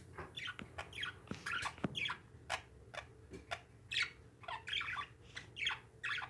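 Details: Parakeets kept as pets chatter busily, with rapid scratchy chirps and squeaky notes sliding up and down, mixed with a few sharp clicks.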